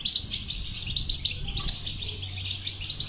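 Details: Continuous high twittering song of a European goldfinch, batbata style meant to prompt silent goldfinches into song: fast, unbroken chain of bright tinkling notes over a faint low hum.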